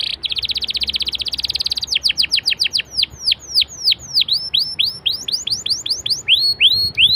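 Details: Canary song meant to spark other canaries into singing: a rapid buzzy trill for nearly two seconds, followed by a long series of sharp downslurred whistles repeated about three times a second.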